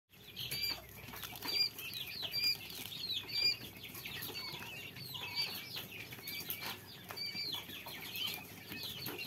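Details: Quail chicks calling: a busy chorus of thin, high peeping notes repeated about once a second, overlapping one another, with faint rustling and soft background noise throughout.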